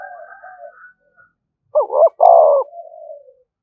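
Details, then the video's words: Spotted dove call meant to provoke rival doves: one loud coo phrase, a stuttered two-part note then a drawn-out falling coo, with quieter, lower-level cooing before and after. "tiếng chim cu gáy kích bổi"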